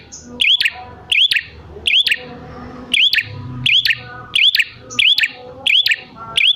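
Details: Lively prinia call played to lure wild prinias into answering. Brisk hooked whistle and tick repeated about every 0.7 seconds, ten times, with soft low murmur between notes.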